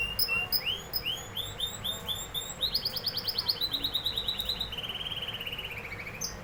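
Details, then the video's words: Canary song of bright rising slurred notes in quick series, shifting into a fast rattling trill and then a steady, even, high rolling tour, against a soft low background hum. "canary singing"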